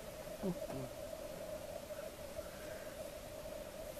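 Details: Black grouse at a lek on an April morning in Svartådalen, Västmanland: a steady, distant low bubbling murmur runs unbroken throughout, with a brief deeper note near the start over faint background hiss.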